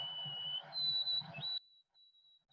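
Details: White-throated sparrow song, a classic summer sound in Maine: a pure whistled opening of a steady lower note, then a higher sustained one that briefly rises ("old Sam Peabody"), over a soft low room hum.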